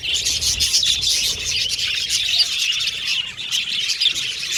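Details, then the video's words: Colorful pet Australian budgies sing and chirp together. Rapid high chirps and whistles blend into a steady, dense flock chatter throughout. "Australian Budgies Birds Singing & Chirping Sound"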